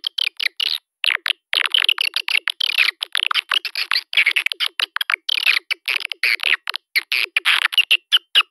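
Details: Calling sound of swiftlets, played to attract the birds: a rapid, nearly unbroken stream of sharp chirps and clicks mixed with brief buzzy twitters.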